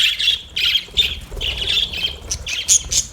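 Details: Budgerigars in busy, scratchy chatter, quick high chirps and squawks in tight bursts, with a few sharper, higher notes near the end.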